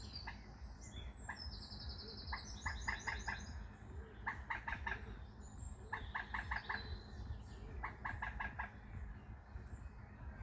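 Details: Waterbird heard from a boat on British canals and rivers: clusters of three to five sharp clipped calls in quick succession, repeated several times, with a high buzzy trill from another bird and a steady low rumble throughout.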